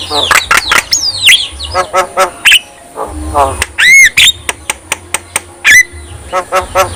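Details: Black-winged myna song, said to make other black-winged mynas sing eagerly and become agitated when they hear it: harsh, rapid chattering squawks and sharp clicks, a looped whistled note midway, brief rising whistles, over a steady high-pitched hiss.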